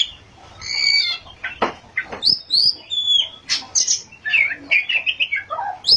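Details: Oriental magpie-robin singing in ngerol and nembak style: sharp clicks and fluttering sounds early on, then a run of varied high whistles, slurred phrases and quick chattering notes.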